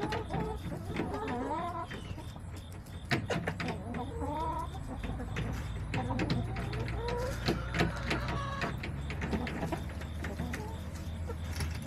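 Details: Backyard hens clucking on a September day, a busy mix of short harmonic clucks and rising, wavering calls from several birds, with a steady low hum underneath.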